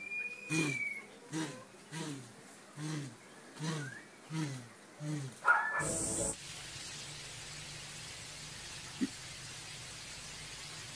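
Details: A blue crowned pigeon gives a run of deep, hollow booming notes, about two per second, ending in a burst of noise and a steady background hum.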